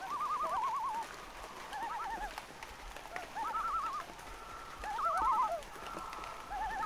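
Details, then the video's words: Loons give rapid, quavering calls that waver up and down in mid pitch, several overlapping in bursts every second or two, over a steady hiss of light rain. "Light Rain & LOON Sounds - Loon Calls"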